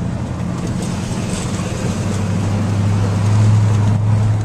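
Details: A road vehicle drones loudly, its low engine hum swelling toward the end.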